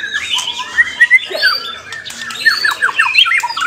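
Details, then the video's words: White-rumped shama at a singing contest giving clear upward whistles, then a quick series of sharp descending notes, with scattered other bird calls behind. "MURAI BATU GALAXY"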